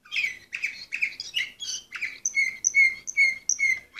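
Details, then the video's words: Song of an Orpheus-breed canary, number 24 in 2014: scratchy chattering notes give way to a steady run of clear, evenly spaced whistled notes about two per second. "canary orpheus"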